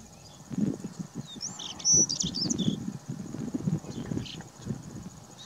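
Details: Male white-tailed stonechat singing while fanning its tail in the wind: a short burst of high, scratchy, twittering notes in the middle, over a steady low rumble of wind.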